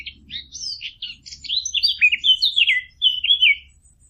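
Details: Fig bird call recording offered as a hunting lure: a rapid run of high, sweet whistled notes, some rising and some falling, tumbling into a slurred warble over four seconds, with a faint low hum beneath.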